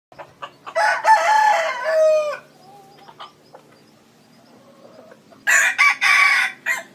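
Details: Large decoy red junglefowl cock crowing: a loud, harsh, drawn-out crow of about a second, then clucks and scattered small sounds, and a second strident crow near the end.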